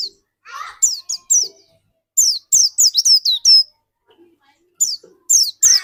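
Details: White-eye of the pleci dakun type singing energetically, used as a lure to get other white-eyes singing quickly; high, thin, downslurred chirps in rapid bursts, grouped in three clusters with short pauses, plus a brief lower muffled sound near the start.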